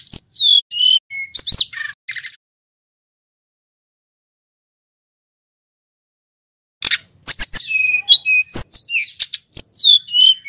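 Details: Local Mount Merapi sulingan singing continuously with varied volume, used to lure and stimulate other birds: high twittering whistles and chirps, then about four seconds of silence, then another busy run of sharp rising and falling notes.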